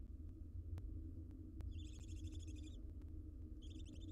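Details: Wild barn owl family in a nest box, two bursts of grating, pulsed hissing from the young birds over a steady low rumble and a few sharp clicks.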